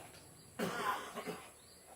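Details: A rescued, free-flying blue-naped parrot, seeing a photo of itself on an iPad, gives a soft, raspy, breathy murmur of about half a second, then two short quiet notes, over a faint steady hum.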